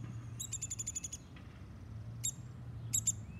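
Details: Baby woodpecker fallen from a tall tree in Groton, Connecticut, placed in a basket where it fell: a rapid burst of sharp, very high chirps, then isolated sharp notes and a quick pair, over low hum.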